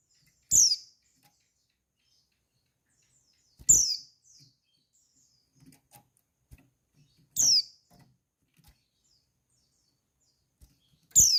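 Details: Four sharp, high, steeply falling notes from a female white-eye, about three and a half seconds apart, played to arouse males into answering; faint ticks and taps fill the gaps.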